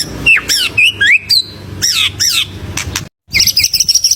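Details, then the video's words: White-rumped shama in full song with varied fill phrases, used to provoke other birds: looping whistled notes rising and falling, a few sharp clicks, a short silence, then a fast high twittering run. "SUARA MURAI BATU GACOR UNTUK PANCINGAN BURUNG"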